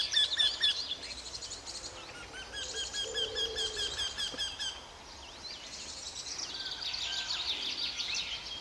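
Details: Eurasian wryneck near a hotel on 16 May 2013 gives a run of evenly spaced, nasal mid-pitched notes, with high, busy twittering and chirps of other small birds throughout.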